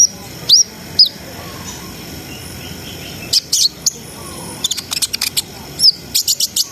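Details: Brown-throated sunbird singing to raise breeding arousal in untrained birds: a few thin upslurred whistles, then clusters of sharp high ticks and chips, with quiet gaps between.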